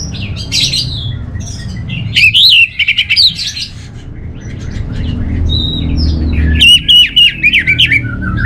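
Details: Orange-headed thrush song of loud, varied phrases: twisting whistles mixed with harsh, buzzy clipped notes in quick bursts, a short pause mid-way, then another energetic run of rapid notes over a low hum.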